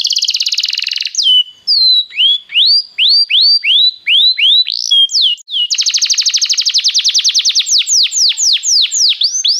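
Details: Belgian canary in song, played to warm up a canary: a buzzy roll, a chain of rising and falling whistled notes, then a long fast trill of repeated slurred notes.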